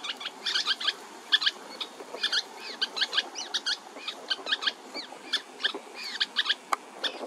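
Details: Three hungry juvenile Western kingbirds in California awaiting food from hard-working parents; scattered clusters of short, scratchy, squeaky notes and rapid chatters, some rising and falling, in irregular bursts with brief pauses between.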